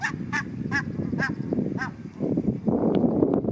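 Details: Barnacle geese in a group on a river: five clear yelping honks spaced about half a second apart, then the calling stops and only a continuous low rumble remains.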